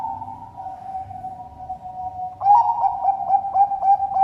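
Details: Zebra dove of the Bangkok perkutut type, farm-bred in Sidoarjo, East Java, Indonesia; a steady low droning tone, then the bird bursts into a quick series of soft, pulsing coos.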